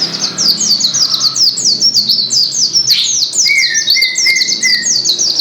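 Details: Energetic white-eye song from Gresik, a dense chain of high, sharply falling chirps; midway a steadier, lower, drawn-out whistle from a second voice joins and holds for about two seconds.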